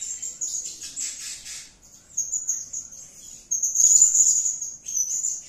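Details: Blue-crowned hanging parrot calling in a lively, gacor way: thin, very high, shrill twittering that runs in rapid bursts, fading briefly near the two-second mark and then returning louder and denser.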